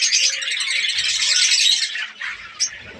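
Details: A breeding colony of budgerigars in Pakistan during the breeding season gives a steady, bright mass of warbling chatter for two seconds, then quieter scattered chirps and one sharp squeak.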